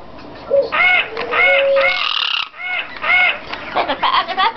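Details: Pet male yellow-crowned amazon, on receiving a toy macaw as a Christmas present, gives loud, harsh, nasal squawks, each arching up then down, repeated roughly every half second to second, with faint household sounds behind.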